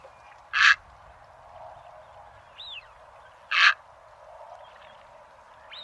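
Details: Egret lure call for bird trapping: two loud, short, grating croaks about three seconds apart, with faint thin rising whistles from another bird between them and a low hiss.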